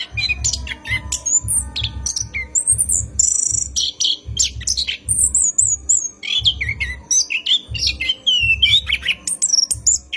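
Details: Long, rolling night song of an orange-headed thrush, recorded as a lure for caged birds: loud, varied whistles, trills and high squeaky phrases running almost without pause over regular low thumps.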